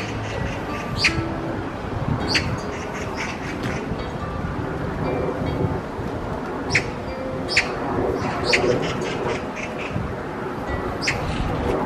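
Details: Oriental magpies on a December winter morning at Galsan Park, Yangcheon, Seoul, giving harsh, scratchy single calls a second or more apart over a steady wash of background noise and faint music.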